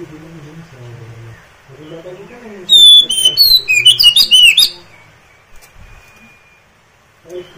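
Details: Oriental magpie-robin (kacer) song, a recording meant to make listening kacer answer, sing and fan their tails: one loud two-second burst of sharp whistles, slurred high notes and rapid chips, with quiet low murmuring before and after.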